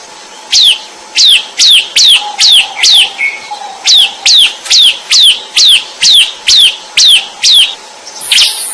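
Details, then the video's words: Vigorous bar-winged prinia song: crisp notes, each sweeping steeply downward, repeated about twice a second in a long steady run. The run ends with a brief harsh burst. "Suara Burung | Ciblek Gacor"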